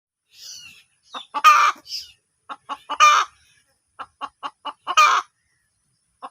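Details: Hen clucking: short repeated low clucks mixed with louder drawn-out squawks, irregular, in a quiet setting.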